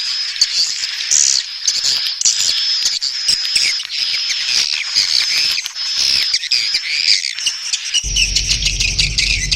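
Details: Swiftlet calling in a mating context: continuous shrill twittering and rapid chirps, high-pitched and busy, with a low hum entering near the end.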